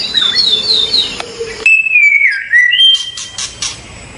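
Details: Medan-type white-rumped shama delivering loud, clear whistled phrases: rapid high warbling, then a long, pure whistle sliding downward before rising again, followed by a few sharp clicks.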